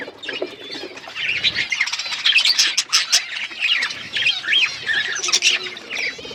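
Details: Outdoor aviary full of chirping budgerigars: continuous overlapping warbles, squeaks and rising-falling whistled notes from many birds, forming a dense bright chatter.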